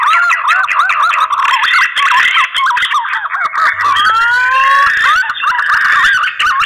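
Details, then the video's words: Green pigeon calling to attract a mate, used for luring birds: busy chain of quick looping whistles and wavering notes, broken by one long upward-sliding whistle in the middle. "Suara burung punai kawin, ampuh untuk pikat"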